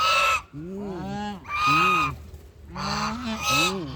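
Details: Duck vocalizing with rising-and-falling tonal calls that bend upward then drop, interspersed with louder harsh nasal blasts, calls running almost continuously with brief gaps.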